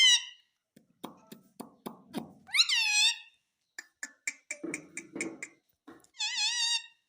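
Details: Talking parrot in a small room, taught to say "mummy", gives high, bending squeaky notes interrupted by a run of low clicking taps, then another wavering whistled phrase at the end.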